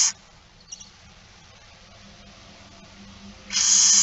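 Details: Barn owl begging during a feeding at 06:57 on 13 September 2019. A hiss cuts off at the start, then a long quiet stretch with faint clicks, then another rasping screech begins at the end.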